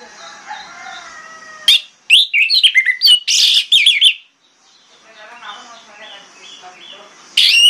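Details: Orange-headed thrush singing in the morning to provoke other thrushes into answering, a loud jumble of sharp chirps and rich whistled phrases between quieter stretches with faint distant calls.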